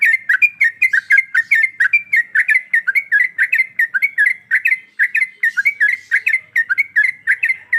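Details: Sooty-headed bulbul female in breeding condition calling the male with a continuous, lively stream of bubbly, up-and-down chirps, barely pausing, in an otherwise quiet setting.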